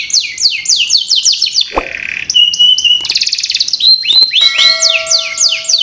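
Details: Canary lure song for young birds: rapid falling whistle sweeps, a soft buzzy stretch, pure steady whistles and a rattle, then more sweeping notes while a faint tone runs beneath.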